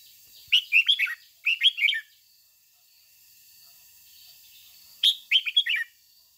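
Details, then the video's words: A lure red-whiskered bulbul delivers a 'ché' style song meant to prompt other bulbuls to sing. Two quick bursts of rippling, chirpy notes open the recording, then a three-second pause before another similar burst. "Luyện chào mào mồi hót ché căng - Ép chào mào hót sáng kích bổi già rừng ,chim nhà nhanh căng"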